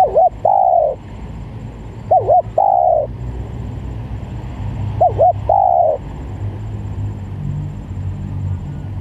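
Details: Spotted dove coo for luring doves, a looping pair of quick notes followed by a drawn-out coo, repeated three times in the first six seconds, then only low background rumble and faint noise.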